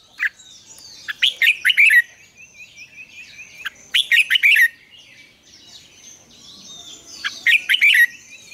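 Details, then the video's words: Morning song of a red-whiskered bulbul, mature wild double-note style, recorded as a training lure: rapid bubbly warbled bursts every three seconds or so, over a faint rippling trill of another bird. "luyện chào mào hót sáng, Ép chào mào hót âm kép già rừng hay tuyệt!"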